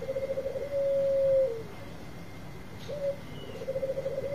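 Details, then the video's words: Quiet lure song of a Bangkok-type zebra dove: a low rolling purr flows into a long level coo, then a short coo and another purring trill start, against background hiss. "Suara Pikat Super Raja Perkutut Bangkok Gacar"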